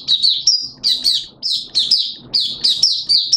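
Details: Malaysian oriental white-eye kept as a song bird: high, sweet warbled bursts, about six phrases of quick downward-sweeping notes separated by short gaps, over a faint low hum.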